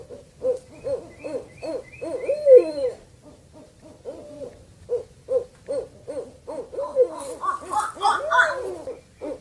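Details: Owl sound played to lure birds: a long run of short, mellow hoots at a steady pitch, with louder, rougher calls near the end.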